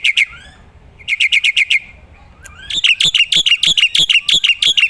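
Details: Songbird training recording of a black-winged myna: a few whistles, a fast burst of identical chirps, a brief lull, then a long run of bright, rising whistled notes repeated about three times a second.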